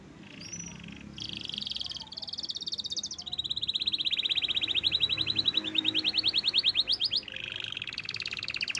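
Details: Caged canary in loud song after its owner's holiday trip: long, rapid buzzy trills held at steady pitches, one trill running for several seconds and rising in volume, with brief high chips at the start.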